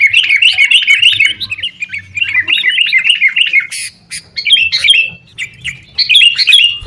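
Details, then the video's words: Noisy fighting-style sooty-headed bulbul chatter, meant as a lure for caged birds; rapid bubbling notes in a steady run, broken by brief gaps and sharp clicks before resuming in shorter bursts. "kutilang gacor TARUNG buat pancingan kutilang agar bunyi jadikan burung kutilang gacor"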